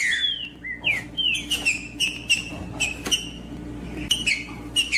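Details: Singing trinca-ferro (green-winged saltator), a song meant to prompt another trinca-ferro to sing: rapid rich whistles, several sweeping downward, delivered in lively runs with occasional sharp clicks and a quiet low hum.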